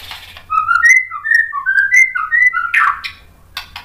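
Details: Agitated white-rumped shama song meant to provoke other males: a fluid series of varied rich whistles rising and falling, followed by a harsh raspy burst and scratchy notes.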